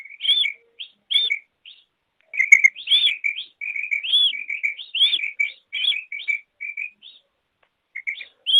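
Female quail giving quick, high chirps and squeaky up-slurred notes in uneven bursts of two to four, with short pauses between; no other sounds.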